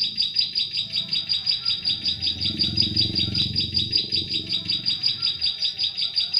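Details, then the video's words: Bar-winged prinia song used as a lure sound for trapping prinias in forest: a steady, fast series of high, sharp chipping notes, about two to three per second, running unbroken, with a low rumble underneath. "SUARA PIKAT CIBLEK SAWAH"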